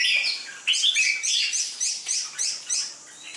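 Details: Red-whiskered bulbul, a competition-class 'chào mào mộc đỏ' with a dark bib and a slim medium build, known for an aggressive fighting style. It sings a run of short, bright, bubbly whistled phrases, about three per second, rising and falling.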